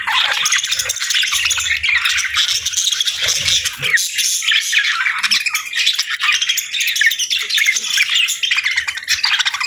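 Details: Excited parakeets at a warm winter-morning feed give constant, loud, rasping chatter mixed with quick high tweets. The sound stays steady and crowded from start to end.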